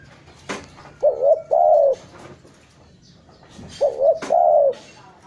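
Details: Spotted dove cooing for luring: two phrases, each a short wavering coo followed by a longer level coo, separated by a few seconds; soft background clicks and hiss.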